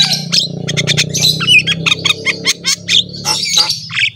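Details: Javan myna song meant to prompt other mynas to sing: dense harsh squawks and clicking notes broken by short whistles, with a low droning hum underneath.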